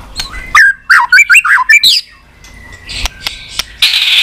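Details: Singing white-rumped shama, a tail-flicking bird in a fighting song used to stimulate others: a tight burst of five or six loud clipped whistled notes, then near silence with faint clicks and a hiss.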